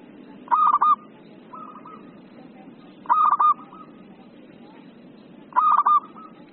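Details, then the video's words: Zebra dove singing steadily: three bursts of rapid, stuttered cooing notes roughly every two and a half seconds, each followed by a softer, fainter trailing coo, with constant low-pitched background noise. "PERKUTUT LOKAL GACOR,PERKUTUT LAIN AUTO NYAUT"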